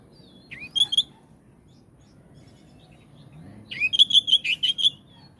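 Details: Oriental magpie-robin song intended to set other magpie-robins singing: a short whistled flourish, a pause, then a rising slur leading into a rapid string of ringing repeated notes.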